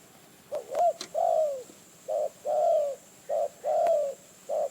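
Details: Wild spotted dove lured by a decoy in Phrae, Thailand, calls in repeated phrases: a short coo then a longer falling croon, each pair about every second and a half, with a few sharp clicks.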